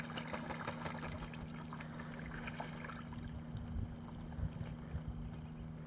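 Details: Low steady engine hum with lapping water and scattered faint knocks, and no animal calls.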